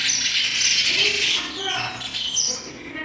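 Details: Sparrow chicks begging in the nest while being fed by the adults: a dense, continuous wash of high, hissing chirps that swells and fades over about three seconds.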